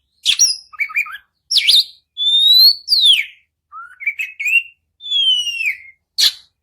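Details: Kacer, the Oriental magpie-robin, singing a long lure song meant to prompt a silent bird to reply. Clear whistles, some sliding down sharply, are mixed with short chattering phrases and separated by brief pauses.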